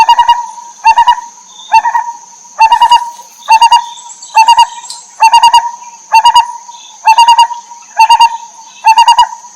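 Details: Lineated barbet mother with chicks delivers a long, rhythmic run of throbbing pulse clusters, about one per second, steady in pitch and loudness, over a faint continuous high-pitched hum.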